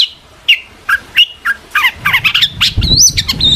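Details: Long-tailed shrike's emotional, provoking song meant to draw answers from other shrikes: spaced sharp chips about twice a second, building into a fast tumble of chirps and looping high whistles over a low rumble.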